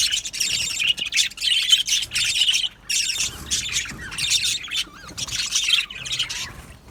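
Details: Budgerigars in an aviary colony produce loud, scratchy warbling chatter in waves, broken by short lulls, with a few clear sliding whistle notes among the chirps.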